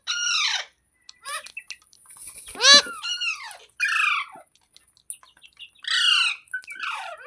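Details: Talking green parrot, a rose-ringed parakeet, indoors: a series of harmonic, speech-like squawks and phrases spaced a second or two apart, with some background hiss.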